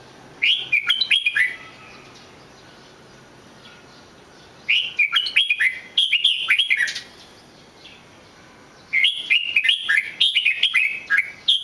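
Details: Red-whiskered bulbul singing in three spaced bouts, each a fast, jerky string of loud whistled and chirping notes, with silent pauses of a few seconds between bouts.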